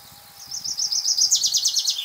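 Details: Male common chaffinch, one of a pair singing back and forth: a single quick strophe of high, sharp repeated notes that accelerate and drop in pitch toward a final flourish, clear over a quiet background.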